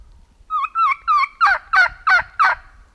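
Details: Wild turkeys in fall near a known roosting site, where the hunter heard multiple flocks. Three smooth, clear notes give way to four louder, raspy, evenly spaced calls, with low rumble underneath.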